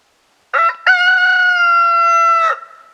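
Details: A new rooster crows after preening, on a snowy day on 24 March 2026: two short opening notes, then a long, steady, strained cry held for about one and a half seconds before it breaks off.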